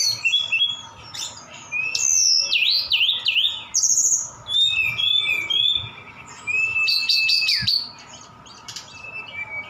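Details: Javan bush lark from Sukabumi in full song, its repertoire filled with imitations of cililin and sikatan londo: a fast jumble of high whistled notes, wavering slurs and sharp chips, with a steady low hum underneath.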